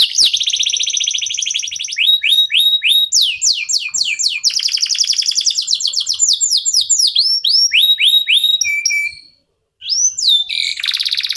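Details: Local canary singing loudly as a lure to get other songbirds singing: rapid trills, repeated rising and falling whistled notes, buzzy rolls, a brief pause near the end, then more rattling phrases.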